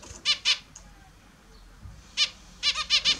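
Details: Pet Australian zebra finches at their morning bath give clipped, nasal, stacked beeps, two early, then a quick cluster of four near the end, over quiet room background.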